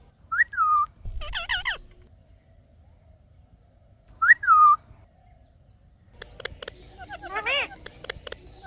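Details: Indian ringneck parakeet, a talking pet parrot, giving a clear two-part whistle twice, once near each end of a short pause, then a burst of harsh chirps and rattling chatter.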